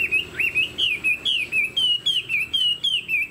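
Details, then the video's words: Chinese hwamei cage bird delivering a fast string of clear whistled notes, about four per second, each a curving slur, mostly steady in pitch with a few dips. "Họa mi đuôi xòe, dáng dấp cao cầu"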